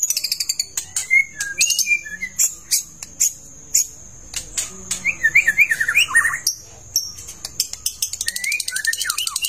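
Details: A long-tailed white-rumped shama sings a rich, varied song of whistled phrases and rapid chattering, with sharp clicks and a steady high ringing tone behind; the song is used as a lure.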